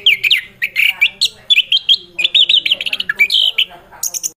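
A Chestnut-capped Thrush pours out rapid, high, sweet whistles and squeaky warbles in quick varied phrases, with a brief thin high note at the end.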